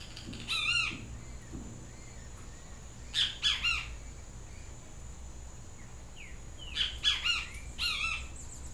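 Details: Great Kiskadee, a yellow-crested benteveo, giving loud, shrill three-part calls in bursts. Each burst is a rapid run of strident, harsh notes, repeated about every three seconds over a faint hiss.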